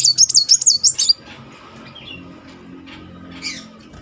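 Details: Kolibri muncang sunbird, a singing lure: a quick one-second burst of high, rapidly wavering trilled notes, then mostly quiet background with a faint later chirp.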